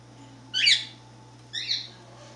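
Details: A budgerigar perched on a chair gives two short, high, scratchy squeaks about a second apart.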